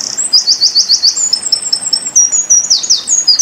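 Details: Eurasian wren song, tembakan style, recorded for pleci tutoring: a fast, sharp chain of descending high notes flowing into thin, piercing trills and buzzy slurs, delivered without a break.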